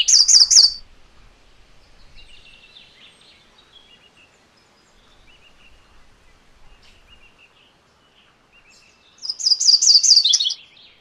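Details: Two brief, high, rapid chattering phrases from a MacGillivray's warbler, one at the start and one near the end. A long quiet gap between them holds faint, distant, thin bird notes.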